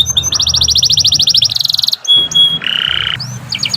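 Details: Canary singing for training birds: a rapid pulsed trill, a buzzy burst, short steady whistles, a low buzzy phrase and quick rising notes.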